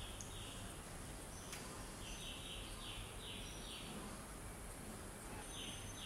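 Grey-backed Camaroptera giving quick series of short, dry, high notes in bursts, about three per second, over steady background hiss and a thin continuous high whine.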